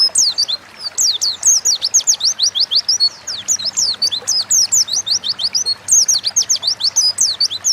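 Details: Oriental white-eye singing vigorously in 'ngalas' style as a training lure for kept birds: a continuous run of high, sharp, descending chirps at a quick steady beat, with a faint low drone underneath.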